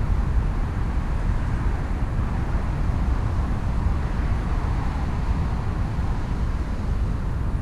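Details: Loud, unbroken low-pitched rumble of traffic or machinery fills the recording, with no animal sound.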